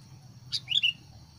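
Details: Decoy sooty-headed bulbul kept to lure wild birds into fighting, giving one sharp chip and then a quick pair of slurred whistled notes, with a constant low hum behind.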